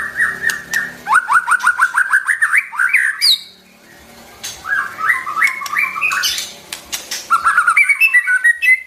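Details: White-rumped shama song for training young and wild-caught birds: long runs of rapid, repeated upslurred notes, broken by a short silence and a high squeaky flourish.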